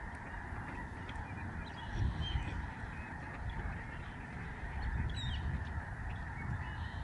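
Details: Lesser Snow Geese, a large migrating flock flying overhead at the George C. Reifel Migratory Bird Sanctuary, Canada, November 2011. A dense, continuous chorus of overlapping honks forms a steady wall of sound under a heavy low rumble of wind.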